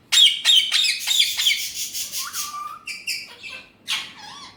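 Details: Alexandrine parakeet, a talking pet parrot with Urdu/Hindi speech: a fast run of loud, harsh, raspy squawks, about three per second, then shorter buzzy notes and drawn-out tonal, voice-like sounds near the end.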